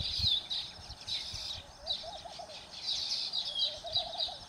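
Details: Baya weaver at Phaltan in Satara, Maharashtra, India, giving loud, high, buzzy chattering in repeated bursts. A softer, lower warbling sound comes twice beneath it, and there is light outdoor noise.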